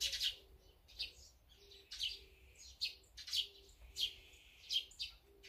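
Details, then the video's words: Birds feeding, with azure-winged magpies, sparrows, tits and brown-eared bulbuls present: sharp, high chirps repeated roughly every half second to second, with a faint, steady low tone recurring between the calls. "물까치,참새,박새,직박구리,먹방,새먹방, 새소리 힐링방송"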